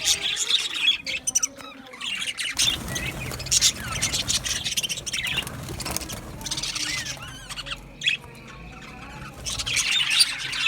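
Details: Male budgerigars chirping in a colony aviary on 8 December 2025, with bursts of bright twittering and squeaky calls broken by brief quieter gaps, and a low background hum.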